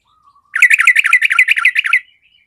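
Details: Fighter-type yellow-vented bulbul song used to stir lazy birds to fight: one quick, loud, bubbly phrase of about fifteen slurred chirps packed into a second and a half, with thin whistles before and after.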